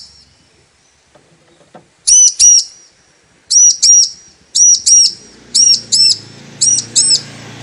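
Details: Female Bar-winged prinia calling the male, used as a lure to get a male singing: after two quiet seconds, five high, sharp double notes, each pair a quick arched chirp, repeated about once a second, with faint low hum behind.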